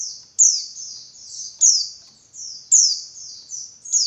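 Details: Female Javan white-eye giving a lure call meant to stir males to sing: rapid, high, piercing downward-sliding notes run together in a continuous twittering series, with a strong accented note about every 1.2 seconds.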